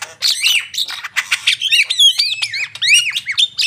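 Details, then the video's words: Javan myna in vigorous gacor song, mixing harsh squawks with looping, rising-and-falling slurred whistles in an unbroken stream. "jalak kebo gacor"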